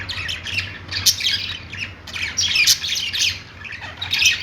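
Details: A flock of budgerigars in a pet store keeps up continuous busy warbling, with harsh squawks and bright chirps overlapping almost without pause.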